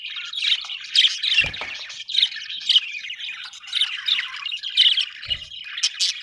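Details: Budgies chatter in pulsing bursts of squeaky, warbled notes and rasping calls, louder peaks coming roughly every second, with a couple of low knocks in the background.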